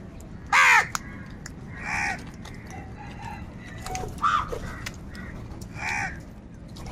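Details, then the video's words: Several crows fighting for food. A very loud, rasping caw opens, then a scatter of harsh caws at irregular intervals, some softer and more distant. "Kaka sound and noises of Crow birds | কাকের ডাক Crow Sound Crow ki Awaz"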